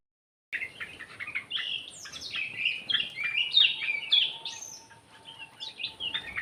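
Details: Sooty-headed bulbul in an aviary, singing gacor: a busy run of bright chirps and short whistled phrases, some rising and falling, packed densely over six seconds, with a faint steady hum underneath.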